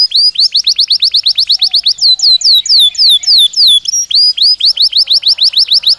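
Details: Belgian canary singing naturally: a quick run of bright down-slurred notes, then slower, longer sweeping whistles, ending in a fresh burst of rapid rising-falling notes.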